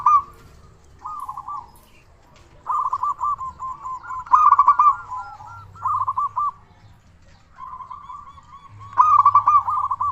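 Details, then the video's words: Local zebra dove, a frequent, loud-voiced singer used as a lure to get other doves calling: bursts of rapid stuttering coos near one pitch, separated by short pauses, with softer trilled coo series between louder phrases. "Perkutut Lokal Gacor Suara Besar Pancingan Burung Perkutut Agar Cepat Bunyi"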